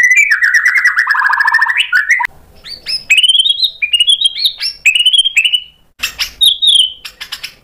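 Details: White-rumped shama singing after provocation: a fast fluttering warble, then a series of clear rising and falling whistled phrases and high sharp notes, with short pauses between.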